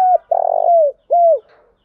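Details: Spotted dove cooing as a lure to stir another dove into calling: a short low coo, then a long purring, trembling coo that slurs downward, then a smooth falling coo, all low and hollow in a quiet setting.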